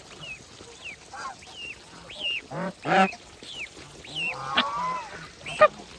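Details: Feeding farm geese give scattered honks and harsh nasal calls, a few seconds apart, mixed with faint rising whistled notes and low murmuring from the flock.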